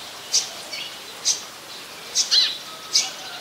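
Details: Olive-backed sunbird in mangrove forest at the Sirinart Rajini centre, Thailand, giving sharp, very high, thin chips about once a second, with a quick doubled note near the end, over a faint hiss.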